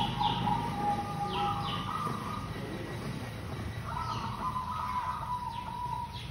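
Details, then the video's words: Local zebra dove used to lure birds, giving two long trilled coo sequences that waver in pitch, while thin high chirps of other small birds drop in now and then over faint background noise. "Perkutut lokal GACOR super pemikat AMPUH"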